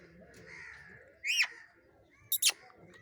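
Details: Angry parrot giving two loud, harsh screeches with sharply bending pitch, about a second apart, over a quiet background.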